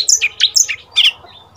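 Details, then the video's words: Oriental magpie-robin, a young seven-month-old decoy male, trading song with wild birds: a brief handful of bright, scratchy chirped notes in quick succession. "เสียงนกกางเขนบ้านEp.2 นกลูเสอ เจ้านิล ต่อปากต่อคำกับนกป่า!! Pancingan Kacer"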